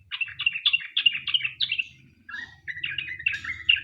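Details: Sooty-headed bulbul singing a fast chattering lure song to prompt other bulbuls: a string of evenly spaced bright chirps, a short pause, then lower rolling phrases, with a faint low rumble beneath.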